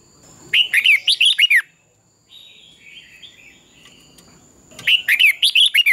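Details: Red-whiskered bulbul dawn training song, competitive style: a burst of about eight fast bright chirps, a soft warbled interlude, then another rapid loud series of falling, sharp notes, with a faint high steady tone.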